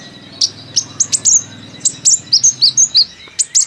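A sunbird chatters in quick, very high, thin chips and sharp tsip notes, about three or four per second, over faint low hum.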